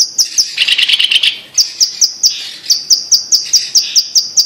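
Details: Blue-masked leafbird singing on the Indonesian island of Sumatra: a quick chattering burst followed by a steady run of high, clipped whistled notes repeated about three per second.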